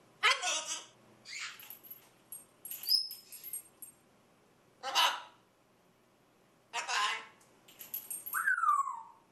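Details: Macaw chatting away indoors, giving a run of harsh, raspy, broadband calls of varied length, some with clear harmonic bands and one whistled note sweeping downward. Short silences separate the calls.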